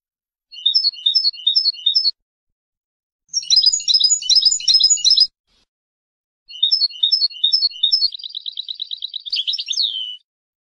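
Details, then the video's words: Goldfinch of Palestine in full song: short bouncy groups of twittering notes, a dense chattering jumble, then more twitter flowing into a long buzzy trill that ends in a slurred, falling flourish. "Goldfinch singing palistine"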